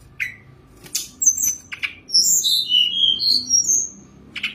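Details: Perched Sunda robin in a cage singing with fill-ins. A few sharp chips, then a string of thin high whistles sliding downward, ending with another sharp chip.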